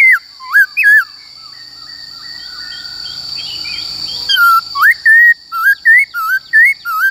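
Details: Forest-style song of a Black-throated laughingthrush, meant for coaching wild-caught and young birds: looping whistled notes, a quieter interlude, then a lively string of clear, rising and falling whistles about every half second; a steady high tone persists.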